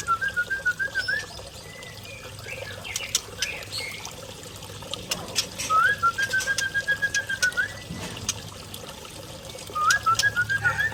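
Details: Forest-origin Aceh white-rumped shama from Lamno, Aceh Jaya, Indonesia, giving short fluting whistled phrases spaced several seconds apart, each a wavering held note ending in an upslur, amid rustling and soft background noise.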